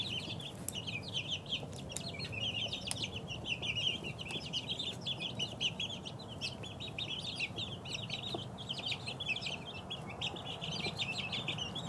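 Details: A flock of two-week-old chicks keeps up a steady chorus of high, thin peeps, short downward-sliding notes overlapping constantly, with a low background hum throughout.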